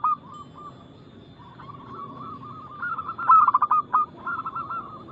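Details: Zebra dove of the local Indonesian type, singing loudly and quickly to lure other doves into song. Soft, wavering coos build into a loud, staccato burst of rapid notes before trailing off into quieter cooing.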